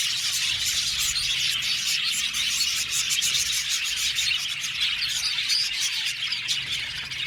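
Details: Budgerigar colony of about seventy pairs in an aviary, a dense continuous wash of overlapping high chirps and warbles from many birds at once, steady in loudness with no pauses and no other clear sounds.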